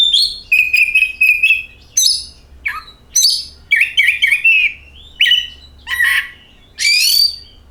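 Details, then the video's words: Kacer, the oriental magpie-robin, singing as a lure for other birds: rapid sequence of clear whistled notes, steady mid-pitched trills, sharp high upslurs and buzzy falling phrases in quick succession. "KACER AUTO GACOR, Suara Burung Penyejuk Hari, Pancingan Kacer"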